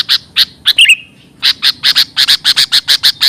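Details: Sooty-headed bulbul lure call used for trapping and training birds: short harsh chirps repeated rapidly, a brief whistled slurred note early on, then a steady run of about a dozen evenly spaced chirps.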